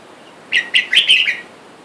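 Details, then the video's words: Wild red-whiskered bulbuls calling for a mate outside a cage holding a male and female: a brisk, chattering whistled phrase of four to five bright notes, the last ones run together, with little background noise. "นกกรงหัวจุกป่า ผู้ เมีย ในกรง และเสียงนกป่าเรียกคู่อยุ่ด้านนอก"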